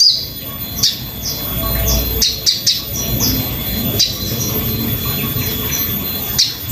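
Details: Crimson sunbird song from a training master: scattered high, sharp chirps and short squeaky notes separated by pauses, over a steady background hiss and a faint constant high tone.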